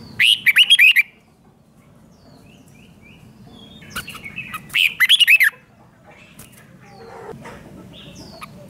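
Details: Song of the Red-whiskered bulbul, used to excite caged birds: two short bursts of quick, liquid warbled notes, followed by quiet scattered chirps.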